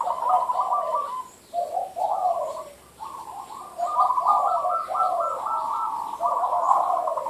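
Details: Zebra dove (merbuk) singing in the derak style: rapid stuttering coos in rolling bursts of about a second, notes stepping between two close pitch bands, with short pauses between phrases.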